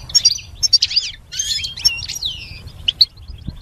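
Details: Goldfinch song in short bursts: bright twittering notes, quick slurred whistles and a few sharp chirps separated by brief pauses, with faint low background rumble.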